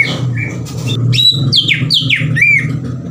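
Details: Vigorous Greater green leafbird song used to provoke rival leafbirds: a dense run of shrill, downward-slurred whistles and chattering notes, tumbling one into the next over a constant low droning background.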